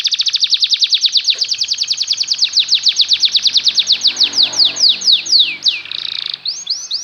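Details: Canary song played to teach canaries to sing: a long fast trill of evenly repeated notes gradually slowing into wide swooping slurs, a short buzzy burst, then more swoops.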